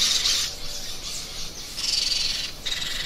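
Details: Parrot letting out several hoarse, broadband squawks in uneven succession, the loudest at the start, the others slightly softer and harsh.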